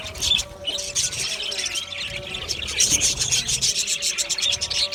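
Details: Australian budgie colony in an aviary giving continuous overlapping chirps and fast warbled chatter, busy and high-pitched throughout, with a soft steady hum beneath.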